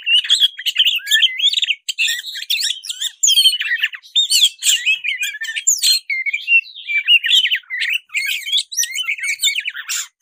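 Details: A black-breasted Oriental magpie-robin in fighting mood pours out a fast, varied, loud, excited song of sweet whistles, buzzy notes and chatters, hardly pausing.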